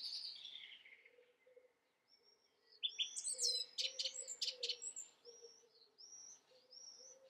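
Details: Song thrush song with a falling whistle and a burst of sharp, high chirping notes, over a steady low droning background and other faint bird notes.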